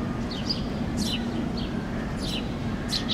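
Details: Passer domesticus fledglings on a lawn in Helsinki, Finland, in June 2013, calling as their parent feeds them: shrill, downward-sweeping chirps in quick pairs and clusters, with a constant low rumble of distant traffic underneath.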